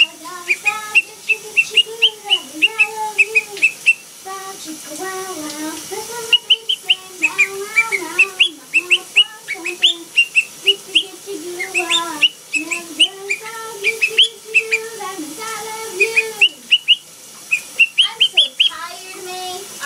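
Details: A blue pet monk (Quaker) parakeet whistles a mimicked tune from a Phineas & Ferb song, its wavering melody broken by sharp, high chirps.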